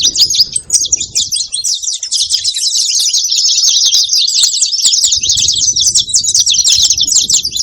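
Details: Saffron finch making noise with a steady run of high, fast chirps and buzzy twitters, almost without pause, over faint low background noise.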